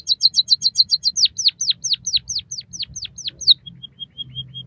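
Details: White-headed munia singing, played to train caged birds to sing continuously: a fast train of high chips, then about a dozen steep down-slurred whistles roughly every quarter second, ending in soft thin peeps.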